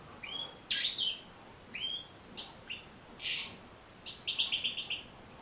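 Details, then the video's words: European goldfinch singing, for use in teaching captive goldfinches to sing: scattered chirps and sliding whistled notes, a loud rasping burst near the start, then a quick stuttering run of repeated notes. "بتبتة جد مهمة لتحفيظ و تحفيز طيور الحسون على التغريذ"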